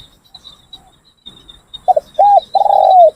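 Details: Trained decoy Spotted Doves cooing in a training session: two short clipped notes, then two longer, smooth, low coos that fall slightly at the end, over a faint constant high-pitched hum.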